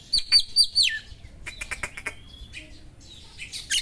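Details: Oriental magpie-robin, locally kacer, giving sharp small-bird song material to provoke other kacer: four quick looping whistled notes ending in a downslur, then dry clicking chips, a long thin whistle and scratchy notes.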